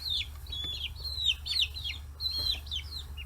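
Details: Forty-day-old chicks on a free-range poultry farm in Hiroshima Prefecture crowd fish heads. Loud, arched, whistled peeps sound about three per second, over a low hum.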